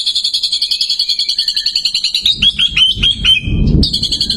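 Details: Long rapid volley of high, evenly pulsed notes from a competition-winning white-rumped shama, about six per second. It runs into clipped whistles and a renewed fast burst, with some low rumbling noise.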